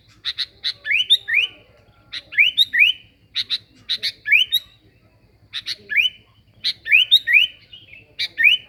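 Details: Sooty-headed bulbul song used as a lure: bursts of sharp chirps followed by two or three rising whistled slurs, phrases repeated about every two seconds over a faint low steady hum.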